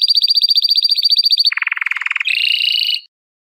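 A domestic canary sings fast, rolling trills that shift between tours: a high rapid rattle, then a lower buzzy roll, then a sweet high double-pitched trill.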